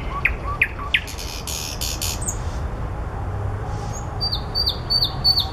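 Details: Common nightingale among blossoms: a few sharp rising notes, a harsh buzzy burst, then a row of short high downslurred whistles repeated about twice a second.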